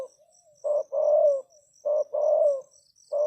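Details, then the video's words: Spotted dove used as a decoy, calling to lure wild doves: repeated low two-part coos, a short note then a longer falling one, about every 1.2 seconds, with a steady high insect-like ticking in the background. "Chim cu gáy chiêu kích mồi tập bổi nhanh nổi hiệu quả"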